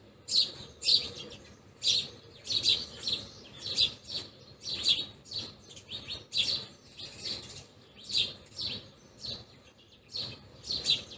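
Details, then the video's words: Several house sparrows feeding, giving bright, short overlapping chirps repeated about twice a second, with faint background noise. "Sparrows Chirping | House Sparrows feeding Sound"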